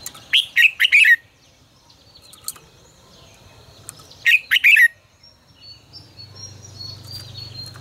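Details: Red-whiskered bulbul, lure song in 'ché căng lửa' style for voice training: two loud, bubbly phrases of three or four quick whistled notes about three seconds apart, with faint thin high calls and low hum afterwards.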